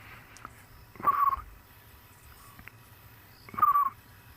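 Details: African scops owl (Otus senegalensis) calling at night on safari in South Africa, with a fiery-necked nightjar also heard nearby: two short, purring, slightly falling notes about two and a half seconds apart over quiet night hiss.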